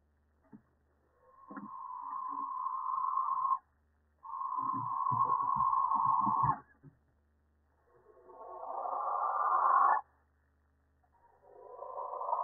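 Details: Barn owl in a nest box in May, where the second egg has hatched and a third owl has visited three nights running. Long rasping hisses of two to three seconds swell in loudness, repeated with short gaps, over a faint low hum.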